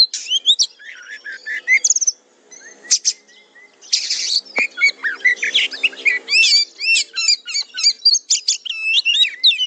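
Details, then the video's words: Kacer (Oriental magpie-robin) masteran song for training a fighter: varied high whistles and harsh buzzy bursts, a brief pause, then a fast energetic stretch of sharp repeated chips and trills. "MASTERAN KACER JADI FIGHTER"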